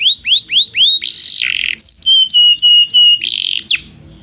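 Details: Belgian canary song for training non-singing canaries: four quick rising whistles, a harsh buzzy burst, then a run of clear flat whistles with high clicks, ending in another rasping burst and a steep downward sweep.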